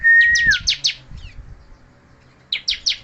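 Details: A steady, level whistle opens, overlapping quick high chirps of a bald, moulting bar-winged prinia that keeps singing. A pause follows, then another burst of sharp notes.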